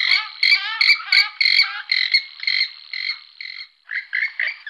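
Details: An Iberian western swamphen calls in a string of loud, nasal, honking notes, about three per second. The notes are uneven in length and shift in pitch. Brief pauses near the end are followed by a few harsher squawks.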